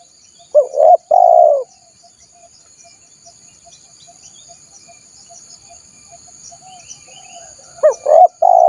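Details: Wild-dove lure of a spotted dove: one phrase of two quick notes and a long hoarse coo, a pause of several seconds with faint high chirps, then the phrase begins again.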